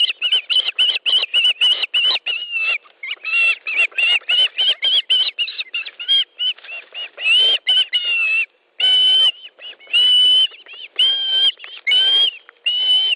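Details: Osprey at a nest in Estonia on 18 July at 10.30, during a fish delivery: rapid series of high, whistled chirping notes, many short and some longer upslurred yelps, repeated in bursts.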